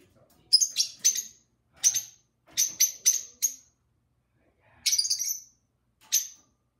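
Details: Caged-home pair of lovebirds talking and singing: repeated short, piercing high chirps in quick groups of two or three, a pause of about a second, then a rattling chattered burst and one final chirp.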